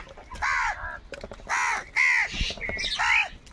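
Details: Angry crow caws from birds fighting for food: four strong, hoarse, slightly bowed calls in quick succession, each about a quarter second long.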